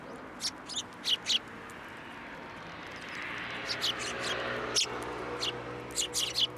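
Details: Sparrows coming to a post for food at a Tenmangu shrine on 2 January 2023: short high chirps in scattered bursts, a cluster early on and more after the third second, over a steady low background hum.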